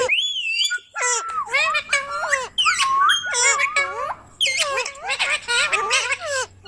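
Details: A pet Indian ringneck parakeet, called Mittu, chatters in rapid, squeaky speech-like phrases with sharp whistled glides, in bursts about half a second long in a small room while being coaxed to talk.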